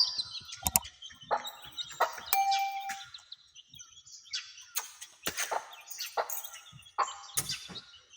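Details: Hen with her chicks on their first outing: repeated high, falling chick peeps and clucks, each note brief, scattered among clicks and knocks.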